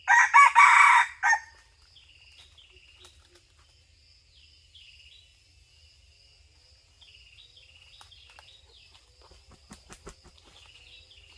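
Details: Red junglefowl crowing at a 2022-2023 hunting site: one loud, raspy, multi-part crow lasting just over a second. Afterwards a steady, stepped, high insect buzz continues through a long quiet stretch with occasional clicks.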